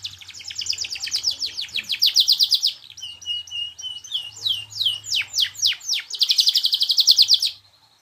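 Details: Canary in full song: rapid rolling trills alternate with a steady whistled note and bursts of fast descending sweeps, loud and continuous for about eight seconds over a faint low hum.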